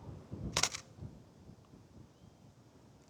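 A single camera shutter click over a quiet outdoor background with faint low rumble.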